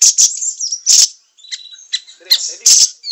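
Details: Short burst of siri-siri song meant for teaching songbirds: loud high buzzy notes, a pause, then thin squeaks and two more harsh bursts.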